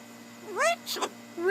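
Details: Blue-and-gold macaw on a shoulder, jabbering: one smooth upward-sweeping harmonic note, then a short noisy burst, and the start of another rising note at the end.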